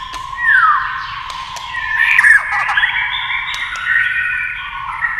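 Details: A white-rumped shama in singing competition with a TV, tail flicking. A dense, smeared warble has a falling whistle near the start and rich overlapping notes that continue steadily.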